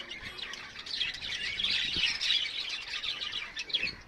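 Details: Several birds chirping on a terrace top. Dense, continuous high twittering and overlapping chirps with no clear pauses, heard from some distance.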